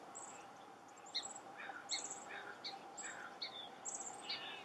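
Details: A chestnut-backed chickadee at work excavating a possible nest hole gives short, piercingly high notes in quick succession, with duller chipping and scraping sounds between them.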